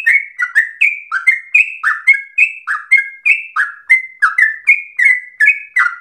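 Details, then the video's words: Yellow-vented bulbul singing nonstop in long rolling phrases likened to a straw-headed bulbul, a rapid chain of about nineteen liquid whistled notes in six seconds, alternating rising and falling slurs, loud and clean. "Trucukan gacor ropel panjang narung suara berasa cucak Rowo"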